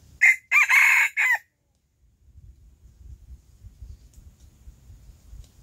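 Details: Early-morning crow from a Silkie rooster, loud and hoarse, broken into four segments with a drawn-out central section, followed by silence and then a soft low background rumble.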